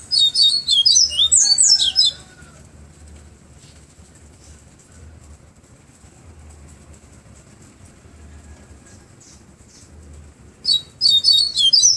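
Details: Bahia seedeater singing a flautado-style song in the afternoon in Pero Vaz, Salvador: rapid high twittering and whistled notes for two seconds, a long quiet gap with faint low hum, then another quick burst at the end.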